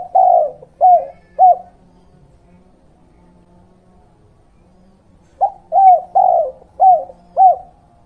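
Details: Cooing of a Spotted Dove, tekukur/derkuku 'kuk 2' pattern, from a lure recording for attracting wild birds and training young birds: three mellow coos, a four-second pause, then five more spaced about half a second apart.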